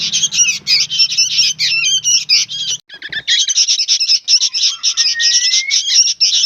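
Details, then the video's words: Harsh chattering of noisy juvenile sooty-headed bulbuls: scratchy, buzzy bursts over a faint low hum for the first half, a brief gap, then more rapid squawking and one rising whistle. "SUARA BURUNG ANAKAN KUTILANG PALING RIBUT BERBUNYI"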